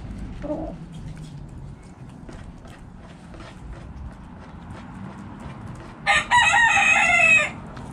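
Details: A backyard rooster in the coop where the chickens are eating crows once loudly for over a second, a harsh, harmonic-rich cry, after quiet seconds of low rumble and faint scuffling.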